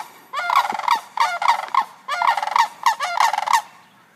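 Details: Sandhill cranes, a family with chicks in Sarasota, calling in reaction to background sounds they hear: loud rolling, trumpeting rattles in rapid bursts, several overlapping phrases about half a second long, repeated across four seconds, then falling quiet.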